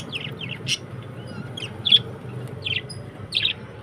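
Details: Budgerigars chirping: quick, high, clipped notes in small clusters, with a few thin whistled tones between them, over a faint low rumble.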